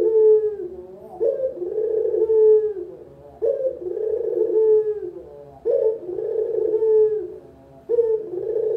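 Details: Puter lokal collared dove, kept as a lure and master voice for beginners, giving steady rolling coos: each phrase opens with a sharp rise and trails off in a descending purr, repeated about every two seconds.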